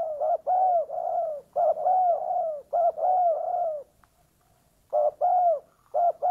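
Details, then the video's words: Spotted dove luring wild doves with loud, hollow, slightly falling coos in repeated two- and three-note phrases, a silent pause near the middle, in a quiet setting. "pikat tekukur suara padu cocok buat memikat tekukur liar"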